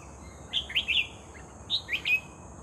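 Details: Red-whiskered bulbul singing during decoy trapping: two short phrases of clear, bouncing whistled notes, three notes each, close and loud above a faint high insect hum.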